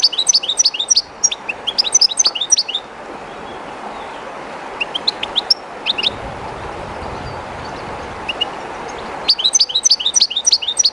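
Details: European goldfinch, one of a keeper's birds, somewhat shy in an unfamiliar spot, singing close to the flowing water of the river Jerte: bursts of rapid liquid twittering and trills high in pitch, separated by pauses filled with steady river rush.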